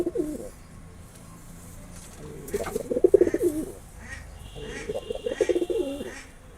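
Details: Courting male pigeon calling to a female. Low, burbling coos come in two rolling bursts, each lasting about one and a half seconds, over faint background hiss.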